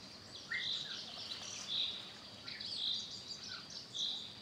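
An African grey parrot gives short, bright whistles about once a second, with a few lower chirps between them over a soft wash of background chatter.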